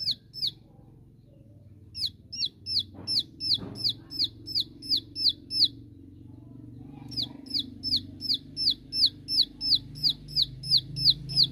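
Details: Ciwah, the bar-winged prinia, shooting song used to call rival birds: three series of quick, clipped downslurred notes, roughly three per second, separated by short pauses, over a steady low hum.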